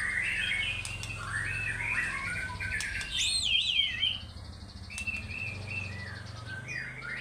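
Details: White-rumped shama in vigorous fighter-style singing, unloading its repertoire: a run of varied whistled and chattering phrases, mostly mid-pitched, with a few sharp high sweeps and a faint low hum behind.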